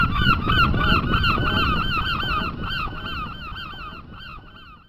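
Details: A flock of gulls at the sea in Mumbai calls over and over in nasal, bending squeals, several birds overlapping about three times a second, over a low rumble of sea and wind.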